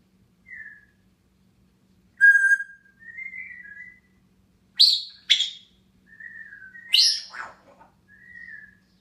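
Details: Morning whistling from a grey parrot sitting on its cage, June 2016: clear mid-pitched whistles mixed with several harsh, rasping bursts, uneven in timing, over a faint background hum.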